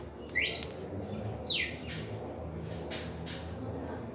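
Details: Red-crested cardinal reacting in song for the first time: a rising note and a steeply falling whistled sweep, followed by softer fainter notes, against a constant low background hum.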